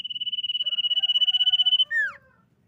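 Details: Common iora, described as a female, sings a lure phrase meant to set rival birds singing: a fast, buzzy, even-pitched trill lasting nearly two seconds, then a loud note swooping steeply downward.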